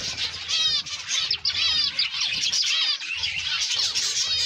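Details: Dense overlapping chatter from zebra finches kept for breeding: bright, nasal chirps and short downward-curving notes packed together, several callers at once, over a faint low hum.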